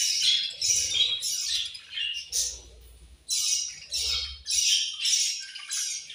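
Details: Budgies eating and chirping noisily: harsh squawking bursts roughly twice a second in clusters, with low rustling and pecking sounds beneath.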